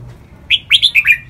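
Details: Lak wai style training song of a red-whiskered bulbul: a single fast phrase of five or six clear, rolling whistled notes, each sliding up and down, delivered crisply in little more than a second.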